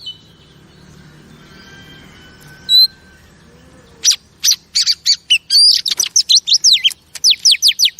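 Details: Female oriental magpie-robin, kept as a pet, sings to rouse male birds: a quiet stretch with one whistle, then a rapid series of sharp downward chirps repeated many times.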